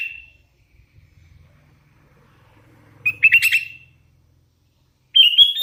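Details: Hand-reared young sooty-headed bulbul: a single whistle, a pause with faint low background noise, then a quick trilled burst and a final bright, wavering whistled phrase.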